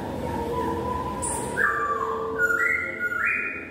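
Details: Laughingthrush singing actively: long clear whistled notes held steady, stepping upward in pitch from low to higher tones, with a brief very high note in the middle and a soft hiss behind.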